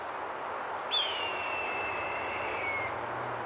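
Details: Female falconry hawk flying away from her handler gives one long, loud, high squeal that starts sharply and slides slowly down over about two seconds, calling back to another hawk outside mating season, a call the handler never heard before; low hum behind.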